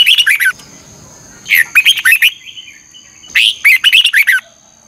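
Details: Morning song of a red-whiskered bulbul in 'ché căng lửa' double-twisting style, used to train birds: three bursts of crisp, fast repeated chirps and downward whistles, roughly every one and a half seconds, over a thin steady whine.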